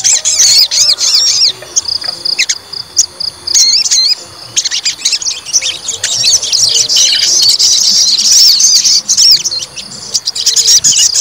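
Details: Agitated white-rumped shama, provoked to fight in a test of its fighting temper, pouring out rapid high whistled and chattering phrases with twisting notes, brief pauses between bursts, then a long dense run of song.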